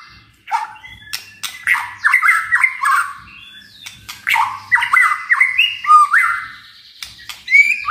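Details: Murai batu in full kretekan and tembakan song: crackling clicks mixed with jumpy, warbled whistle phrases in irregular bursts, with faint low hum in the background.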